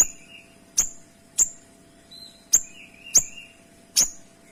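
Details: Kinoy in full song, crisp and dense, recorded for training other birds: a sharp high snapping note repeated about every half to one second, with thin whistled tones sounding between the strikes.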